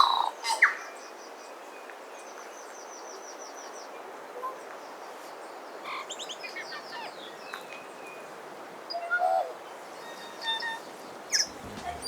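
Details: A tui on Tiritiri Matangi island nature reserve, New Zealand, in winter, sings a varied, broken-up phrase of sharp clicks, short bell-like whistles and harsh wheezy notes, spaced by pauses over a quiet outdoor hush.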